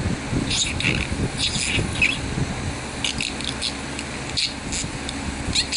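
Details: Male budgerigar, a pet parakeet, chattering in a busy warble of scratchy bursts and short high chirps spread through the clip, over a low steady background hum.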